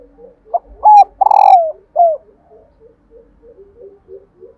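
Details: Female spotted dove call, used to prompt males to coo: a phrase of three loud hollow coos with a longer falling middle note, followed by a string of soft, low, evenly spaced notes.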